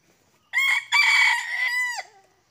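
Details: Junglefowl crowing during a luring session in which two wild birds come in: one loud crow of about one and a half seconds, a harsh broken opening, then a sustained note that drops at the end. The background is quiet.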